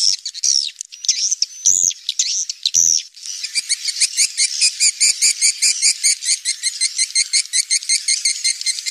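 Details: Swiftlets recorded in the wild inside a cave, giving high, thin chirps and twitters, at first drawn-out and wavering, then quickening into a dense, rapid run of short repeated chirps.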